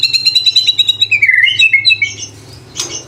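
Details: White-rumped shama song with mimicked fill and bursts, recorded to train young and adult birds: a rapid series of clear repeated whistled notes, a downward slur, then several rising whistles and a brief flutter.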